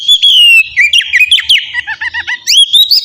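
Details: Oriental magpie-robin singing in the loud, open ngeplong style, a recording used to coax captive birds into song: rapid varied whistled notes, rising and falling slurs, and short chirps in quick succession.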